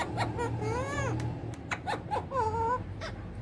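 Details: Speaking pet ringneck parakeet producing Urdu/Hindi words: wavering, voice-like harmonic tones that arch and dip, broken by short clicks and squeaks, over a low hum.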